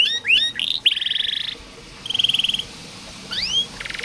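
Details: Canary singing for training silent or lazy birds; rising slurred notes give way to a buzzy rattle, a pause, a brief trill, a pair of upswept whistles and a closing fine buzz.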